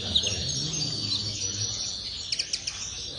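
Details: Common linnet song, a thin high warble and sustained twitter, then a quick burst of sharp, clipped chirps near the end over a faint low background rumble.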